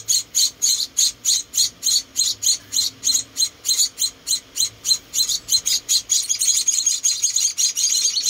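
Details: Rescued baby munias, four chicks, calling while being fed by hand: high, thin, evenly spaced chirps about twice per second, merging into a faster overlapping chatter toward the end.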